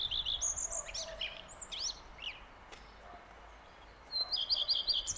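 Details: Common redstart song opening with a clear note, then a jumble of varied twittering, swooping notes, a pause, and a fresh run of rapid repeated high notes at the end.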